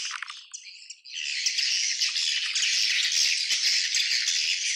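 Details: Swiftlet colony calling: dense, continuous high chittering and rattling twitters, building after a quieter opening second into a steady loud chorus of overlapping clicks and buzzy chirps.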